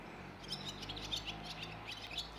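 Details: A Barn swallow at Rakitovec, Slovenia, on 29 April 2024 gives quick, high twittering chirps, about a dozen scattered notes in two seconds, over a faint low steady hum.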